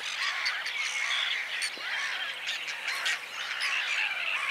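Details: Rasping, crowded calling of whiskered terns, many coarse squawks running together without pause, with occasional thin whistled notes on top and a low mechanical hum throughout.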